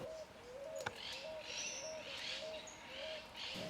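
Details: A striped owl in Argentina gives short, low hooting notes repeated about twice a second at an even pace, over a steady hiss of insects or wind.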